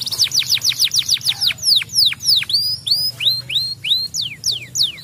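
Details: Canary singing to stimulate other canaries: rapid series of steep descending whistled notes, about three per second, shifting into slower rising-then-falling sweeps and separate high chirps, clear and loud against a faint low hum.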